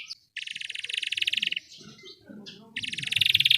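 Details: Belgian canary singing, used for training other canaries to sing: a dense high buzzy roll held about a second, a short pause with faint low rumble, then another bright trilled roll starting up.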